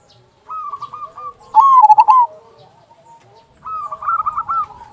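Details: Cooing of a local zebra dove with a big "kung" sound, played to coax other zebra doves into song: a faint rippling phrase, a loud accented burst of coos, then another soft trilled run.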